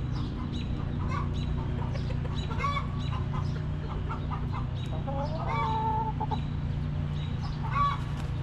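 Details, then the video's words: Backyard chickens in their coop cluck in quick low bursts, and one hen rises into a longer drawn-out call near the middle, all over a constant low droning hum. "Rooster Crowing! Hens Clucking!"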